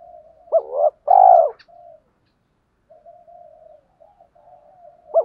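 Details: Spotted dove cooing in the 'hạp bổi' voice style. A hooked note and a long, throaty coo are followed by faint low murmuring, and another hooked note begins at the very end.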